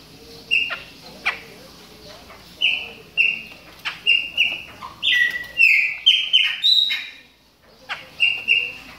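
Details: Moulting Chopi blackbird warming up: spaced whistled notes, then a denser burst of richer, bending whistles before a short pause and two more notes.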